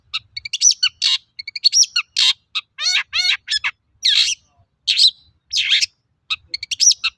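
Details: Long-tailed shrike singing vigorously, a lure recording meant to prompt other shrikes to sing: quick high chips mixed with harsh rasping bursts and laddered downward slurs, delivered in a varied, energetic jumble with brief silences.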